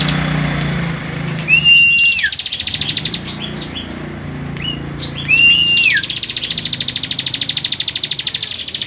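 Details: Bar-winged prinia kept as a songbird, singing in full 'gacor' form as tutor song for other birds: two short arched whistled notes, each followed by a long, fast, buzzy pulsed trill, over low background rumble.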